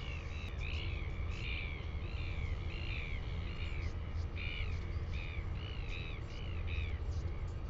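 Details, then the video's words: Calls of northern royal albatross, New Zealand, 10 June 2020: strong arching harmonic notes given in quick clusters with short gaps, against a constant roar of wind. "Northern royal albatross"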